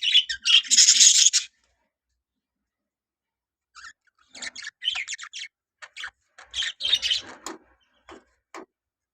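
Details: Budgerigars in a colony giving a burst of loud buzzy chatter, then a pause followed by scattered short chirps and squeaky notes from several birds.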